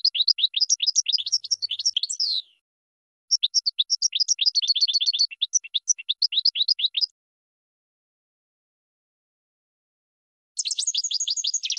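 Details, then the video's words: Goldfinch singing for bird training: two long phrases of fast, tinkling upslurred notes, then several seconds of silence before a final short rapid burst. "Brilliant GOLDFINCH Song"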